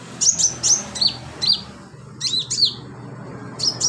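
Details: Sunbird delivering filler song for training birds: a rapid string of sharp, high, downslurred chirps, some doubled, over constant low rumbling background noise.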